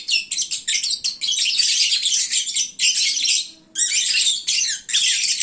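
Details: Midday chorus of lovebirds after feeding, sleepy and very loud: rapid clipped chirps at first, then dense shrill chattering in bursts separated by short gaps.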